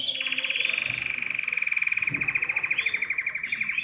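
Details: Canary singing to stimulate other birds to sing; a steady, fast pulsing trill held at one pitch for several seconds, with brief higher slurred notes near the end and faint background noise.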